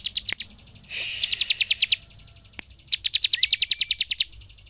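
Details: Ciblek, the bar-winged prinia, used as a lure to excite other birds: rapid bursts of high, even chirps in fast trains of about a dozen notes, split by a brief hiss of noise.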